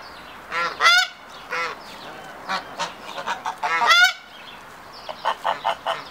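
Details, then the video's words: Hybrid Canada geese during the second stage of pair formation: a male's triumph ceremony courtship display before a female. Loud, nasal, harmonic honks in irregular bursts, with two strong clustered outbursts and a quicker run of short honks near the end. "Брачное поведение гибридных канадских казарок. Триумф церемония"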